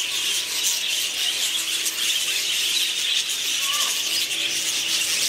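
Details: Budgerigars in the tropical bird house at Seoul Zoo give a continuous high, scratchy warbling chatter, apparently several birds together, with a brief squeaky note near the end.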